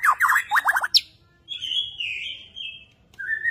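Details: Borneo white-rumped shama performing an active bowing display; fast sweeping downslurred notes in two quick bursts, then a long wavering whistle held and varied, ending with a rising whistle.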